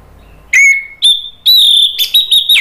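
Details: Orange-headed thrush giving long, clear, level whistled notes, the first lower, the later ones higher and held, ending in a brief flutter; used to spur another bird into loud singing.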